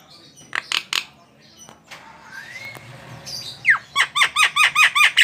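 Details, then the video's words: Javan myna in lively song: a few harsh broadband notes, a thin rising whistle, then a fast run of about eight repeated downslurred squawky notes, indoors. "SUARA BURUNG JALAK KEBO GACOR"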